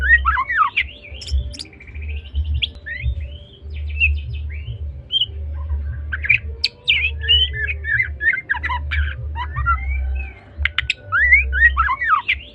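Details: White-rumped shama of the Medan line in sustained trotol-style song: dense bursts of descending slurs, rattles and clear whistles across twelve seconds, with a persistent low hum.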